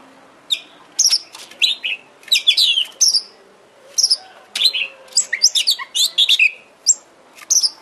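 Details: Oriental magpie-robin song played to provoke a kept bird: irregular bursts of high whistled and chipping notes, some downslurred, coming in short clusters separated by brief gaps.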